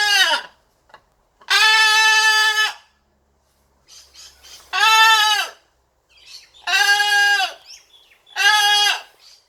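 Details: Playing blue-and-gold macaw, a pet, repeats harsh, grating squawks: four long buzzy blasts, each about a second, spaced roughly two seconds apart, with brief soft sounds between them.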